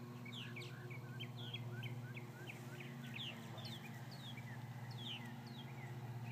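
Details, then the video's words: Purple martins, probably more than 50, calling after several hawk attacks: a dense stream of short sharp chirps and downslurred notes, several per second from many birds at once, over a steady low hum. "Purple Martins after several hawk attacks"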